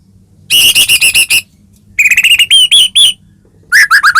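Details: Caged white-rumped shama singing in full gacor style, used as a lure to provoke another caged bird into singing: loud whistled notes in rapid repeated bursts, then rising slurred whistles and a final quick series.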